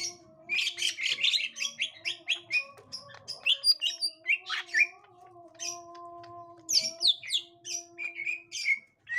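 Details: Green leafbird (gotri type) meeting a young wild green leafbird, giving dense rapid chattering chirps and sharp whistled notes in fast runs, over a faint continuous low hum.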